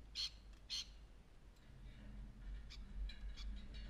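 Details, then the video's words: A male cockatoo lifting and showing off his wings gives two harsh, raspy screeches in quick succession, then fainter rough squawks, over a steady low indoor hum. "screeching cockatoo"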